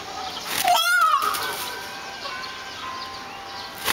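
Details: A fighting peafowl gives one loud, nasal, rising wail lasting about half a second over faint outdoor background noise. Recorded in Kumamoto on 4 June 2011; the owner thinks it is mating season.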